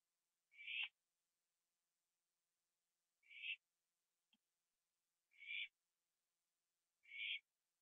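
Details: Owl on a porch at night in September 2011, finishing a gopher before flying off to sit with another owl in a tree; four short raspy screeches spaced unevenly, plus one faint click, quiet background.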